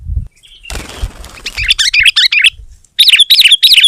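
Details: Sooty-headed bulbul singing to challenge a rival, opening with a burst of wing flapping, then quick bubbly, warbling phrases that repeat several times in succession.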